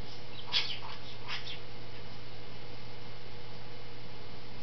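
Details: Female pet Goffin's cockatoo indoors giving angry, chipmunk-like chatter: two quick bursts of harsh, buzzy notes in the first second and a half, then quiet, over a steady electrical hum.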